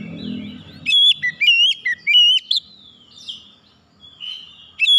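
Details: Lure song of an oriental magpie-robin, meant to prompt other birds to sing: a quick run of loud, piercing whistled notes, rising and falling, clustered in rapid bursts, fading to softer warbling before a final sharp whistle; low rumble at the start.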